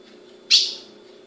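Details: One short, bright, explosive chip from a captive female Ultramarine grosbeak in Brazil over a steady low hum.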